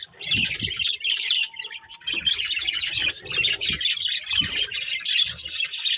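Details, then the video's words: Pet budgerigars, a breeding pair, keep up a rapid scratchy warble of chirps and squeaks, with a thin steady tone and occasional low bumps in the background. "Cute Budgies Chirping Sounds | Love Birds Breeding Pair"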